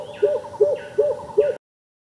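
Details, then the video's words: Greater coucal, also called crow pheasant, giving four deep, resonant hooting notes. Each note is hollow and slightly bubbling, and they repeat steadily about every 0.4 seconds before stopping abruptly. "Greater Coucal a beautiful Bird video"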